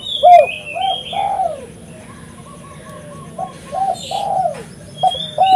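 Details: Spotted dove (tekukur) calling to lure birds: repeated phrases of short coos and longer falling coos, with higher whistled notes from another bird mixed in.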